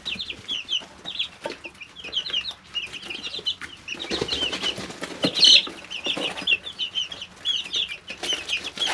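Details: Three-week-old chicks in a brooder keep up constant high peeping, with a burst of wing flapping and rustling in the middle and one sharper, louder cheep.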